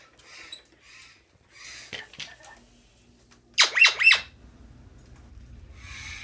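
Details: Caged male eclectus parrot at a rescue sanctuary objecting to cage cleaning: softer raspy calls early on, then a loud run of three grating squawks in quick succession, followed by a quieter rasp and background rustling.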